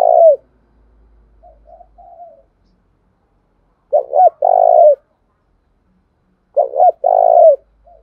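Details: Decoy spotted dove, its calling used to provoke wild doves into answering: low, throaty coos in paired phrases, a quick double note then a longer falling coo, repeated about every three seconds in silence.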